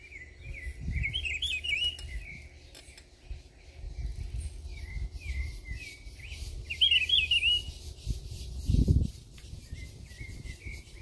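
Rufous-browed peppershrike giving rich, warbled whistled phrases, with two fuller bursts several seconds apart; low voices and handling thumps underneath.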